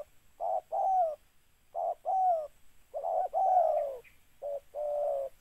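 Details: Spotted dove cooing almost without pause. Phrases of a short introductory note and a drawn-out, downward-sliding coo follow one another closely, some slightly run together, in a quiet setting.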